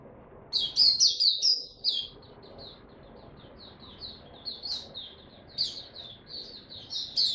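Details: Hobby white-eye in Singapore, 31 July 2023, starts loud with rapid high chirping phrases, drops to soft, scattered twitters, then builds again into brisk bursts.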